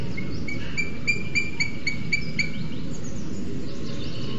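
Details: Booted eagles at their nest in Spain's Sierra de Guadarrama National Park, with the female on two eggs and the male arriving carrying a lizard. About a dozen high, clipped whistles in quick succession over two seconds, then fading amid low noise.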